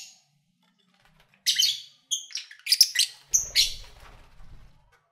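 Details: Lovebirds kept by owners, recorded while eating and playing: a run of shrill squeaky chirps and whistled notes in quick succession, ending in softer chatter over a faint low rumble.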